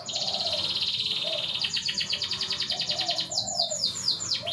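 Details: Canary song meant to bring a reluctant canary into breeding mood: a long, fast, buzzy trill that breaks into bright falling whistles, over soft lower warbling and steady background hum.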